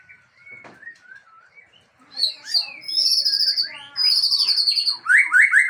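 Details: White-rumped shama of the Aceh type showing off its learned imitation repertoire; soft scattered whistles give way to loud, fast runs of high buzzy trills and sweeping chirps, several phrases per second, ending in rapid rising notes.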